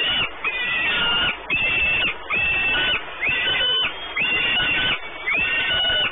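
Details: Nesting peregrine falcons in Płock, Poland, recorded on 28 May 2019 at the Orlen site: loud, rasping calls roughly once per second, each a drawn-out harsh note with brief pauses between, against constant hiss.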